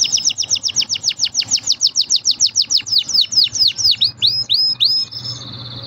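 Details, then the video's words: Green canary singing: a rapid series of loud high down-slurred notes, about four a second, ending in a short fast trill and a held high tone. "Green canary bird singing"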